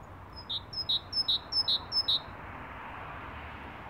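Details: Great tit whistling a steady series of five paired notes, a sharp high note then a bright lower one, about two and a half per second, over gentle hiss.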